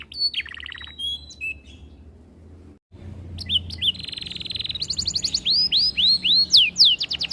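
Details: Canary singing long master phrases: short whistles and a rattle, a brief silence, then a dense buzzy trill building into loud repeated arched whistles.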